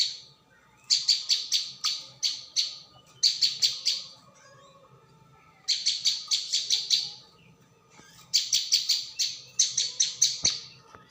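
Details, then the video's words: Prinia calling on a bird-lure track: quick runs of harsh, buzzy chips in bursts of up to six, with irregular short gaps between bursts. "pikat burung ciang"/ prenjak bawah"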